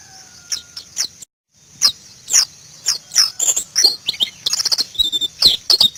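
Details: White-eye (pleci), Indonesia: spaced high chirps that quicken into dense twittering bursts and rapid ticking notes in the second half.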